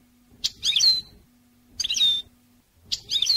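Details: European goldfinch song used to train birds: repeated high phrases of jumbled twittering notes, each closing with a drawn-out descending whistle, roughly every 1.2 seconds, with a constant low hum between phrases.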